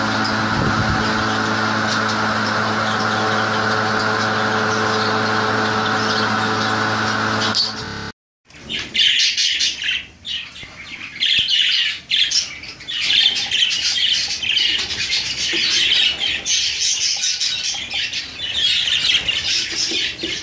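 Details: Exhibition budgerigars in a breeding setup in Pakistan chatter together in a busy stream of high, scratchy chirps and warbles.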